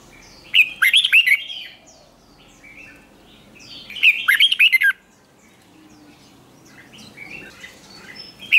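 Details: Red-whiskered bulbul being trained for competition singing, repeating loud bursts of fast, twisting whistled notes about every three and a half seconds, with quieter chirps filling the gaps.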